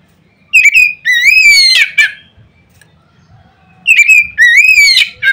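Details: White-rumped shama giving a loud song meant to provoke other shamas: two bursts of clear, rising whistled phrases, each ending in a harsh buzzy note, separated by a pause of about two seconds.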